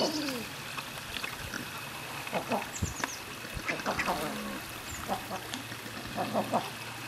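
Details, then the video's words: King eider in courtship display: a series of short cooing and crooning calls, some with rising then falling slurred notes, repeated irregularly over several seconds, with other birds calling and human voices in the background. "king eider en parade"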